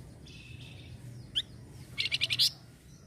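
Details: Small minivet: a soft high buzzy phrase, a single sharp downward note, then a fast run of five to six bright chirps ending in a louder upswept note; faint low hum behind.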